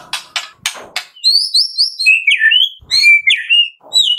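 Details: Medan white-rumped shama singing actively with many fill phrases, used as a lure to make other shamas sing quickly: opening harsh ticks give way to rich, fast, varied whistles, slurred high notes and rising-falling phrases, delivered almost without pause.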